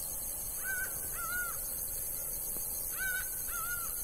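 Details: In Bahia's sertão a laughing falcon gives two doubled calls, each a short rising note then a longer arched one, separated by about two seconds; high hiss throughout.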